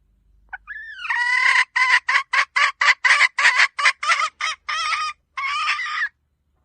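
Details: Red junglefowl hen, her call used to lure birds to a decoy: a thin rising lead-in note, then about fourteen rapid, harsh clucks that slow slightly and lengthen toward the end.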